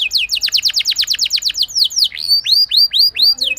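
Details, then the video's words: Canary giving a rolling lure song for other canaries to copy: a quick series of steeply falling notes, then slower, separate rising-and-falling whistles about twice a second. "Cukup Putar Sebentar Saja Burung Kenari Lain Bakal Langsung Ikut Gacor Ngerol Mewah Dengan Pancingan"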